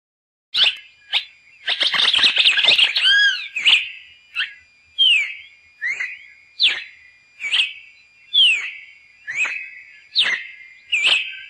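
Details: Cardinal singing: loud clear whistled notes, each a sharp downward-sweeping slur, repeated roughly every three-quarters of a second after a dense, buzzy burst of rapid notes near the start.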